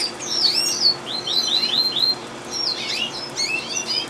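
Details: Gloster canary singing, recorded in 2011: loud, fast phrases of high whistled, downward-sweeping notes and twittering trills in bursts, with short pauses between phrases.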